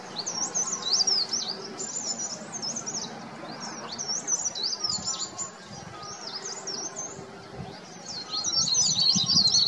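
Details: From an oak treetop in the Himalaya, a verditer flycatcher calls loudly in spring to establish territory before breeding. High, twisting, warbled trills run in bursts with brief dips in between, then swell loudly again near the end.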